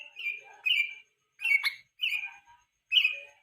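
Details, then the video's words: Yellow-vented bulbul singing in the evening as a master lure for training other songbirds: short, bright, bubbly phrases separated by brief silences, each a warbled burst with a few sharp clicks. "KICAU PANCINGAN BURUNG TRUCUK SORE HARI"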